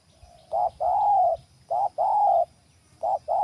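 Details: Wild spotted dove lured to a new trapping site, cooing in paired notes: a short coo then a longer level one, the pair repeated twice and starting again, loud and clear over quiet low noise.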